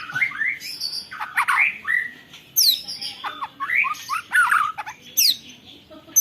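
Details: White-rumped shama imitating canary: varied loud rising and falling whistles and chattering phrases, sharp downward-sweeping high notes, recorded on a phone.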